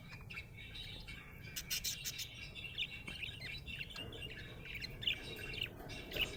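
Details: Cheerful budgie chatter: continuous twittering warble punctuated by sharp clicks and brighter chirps, growing busier toward the end, over quiet background noise.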